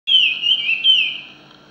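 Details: A Chinese hwamei singing in the wild gives a brief, loud phrase of rich, slurred whistles that swoop up and down before trailing off, with no other sounds.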